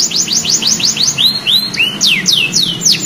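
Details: Young canary learning to sing, answering right away: a fast run of high, downward-sweeping whistled notes, then a few longer slurred glides, then the quick sweeping phrases again. A faint low hum runs underneath.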